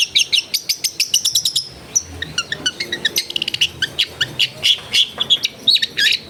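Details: Long-tailed shrike song used as tutor material for a bird that has stopped singing, from a house in a packed residential area: rapid clicking chatter gives way to a varied jumble of sharp chirps and twittering notes.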